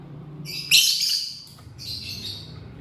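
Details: Lovebird chirping as it eats corn: one loud, harsh, high-pitched screech followed by a softer, shorter rasping chirp, with a faint low hum in the background.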